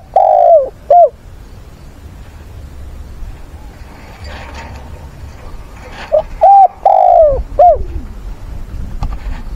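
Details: Spotted dove used as a lure bird, calling for a mate and song-fighting, gives deep, hollow coos in two bursts, each a drawn-out note followed by a short one, with a quiet pause between and a low background hum.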